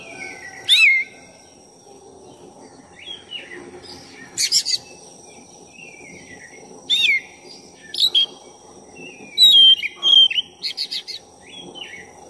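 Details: Oriental magpie-robin of the black-chested form singing non-stop, played to provoke and rouse another bird: scattered bright whistles, quick downward slurs and short buzzy bursts, spaced irregularly, with a constant high tone and low rumble behind.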